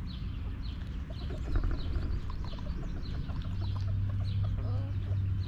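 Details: Backyard hens relaxing in their coop give soft, short clucks scattered through the recording, over a steady low rumble, with thin high chirps of small birds in the background.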